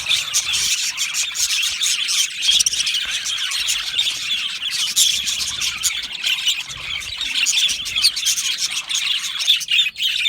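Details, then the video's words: Budgerigars kept as an aviary colony make a steady wash of high, squeaky chirps and chatter from many birds at once, with no clear single voice. "Budgie parrot chirping sounds"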